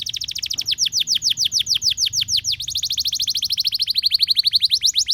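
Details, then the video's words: Canary delivering an extended rolling song to get other canaries going, a fast continuous train of downward-swept notes, about three per second, steady and unbroken throughout. "Semua Burung Kenari Dalam 1 Menit Langsung Ikut Gacor Panjang"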